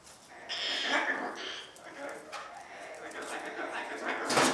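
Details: Cockatoo family life: a drawn-out, nasal squawk rich in overtones, then a second shorter one, softer scratchy sounds, and a sharp harsh burst at the end.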